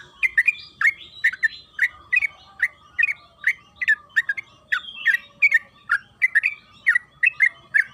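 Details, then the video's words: Yellow-vented bulbul (trucukan kebo) in long, rapid song used to make the bird sing: a continuous string of clear, slurred chirping notes, about three per second, in a quiet background. "Suara burung TRUCUKAN KEBO Gacor ropel Panjang"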